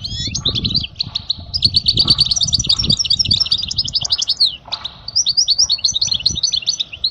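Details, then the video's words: Goldfinch singing, presented as a tutor song for young chicks: a continuous fast stream of high twittering, trilled and tinkling notes with short pauses, accompanied by low thumping and rustling noises underneath. "أجمل تغريدة لطائر الحسون لتعليم الفراخ الصغار"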